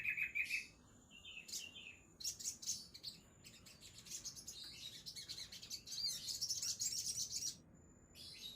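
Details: Sogon songbird beginning with a short rattling trill, then high twittering and chirps, building to an intense run of high, sparkling notes before a brief pause.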